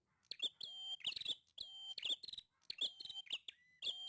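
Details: Lively prinia song made of quick, closely spaced phrases. Each one pairs a level, piercing whistle with rattling, buzzy chirps, repeated about five times in a row.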